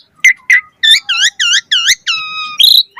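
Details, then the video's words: Whistled phrase from an Asian pied starling's isian-rich song, a lure for starlings: a couple of short chirps, then four rich wavering whistles in a row and a long steady whistled tone ending in a squeak. "Suara Jalak Suren Gacor Full Isian Auto Respon buat Pancingan Burung Jalak Agar Gacor Isian Mewah"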